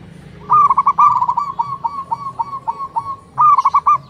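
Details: Local zebra doves answering one another in the morning, male and female: a fast, clipped series of rolling coos that slows into evenly spaced stuttered notes, then another bright burst of rapid coos near the end.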